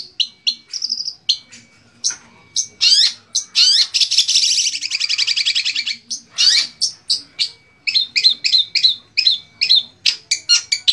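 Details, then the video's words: Indonesian cendet, the long-tailed shrike, kept by songbird hobbyists and singing 2020 competition material full of imitations of other birds; dense run of quick sweeping chirps and whistles with a long harsh buzzy trill in the middle. "Materi Cendet / Long Tailed Shike Full Video Compilation 2020"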